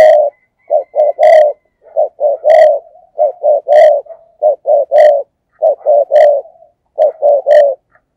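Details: Spotted dove decoy coo used as a lure to draw in wild doves: loud, low hollow coos grouped in short phrases of two or three notes, repeated about every second and a quarter, with brief silent gaps.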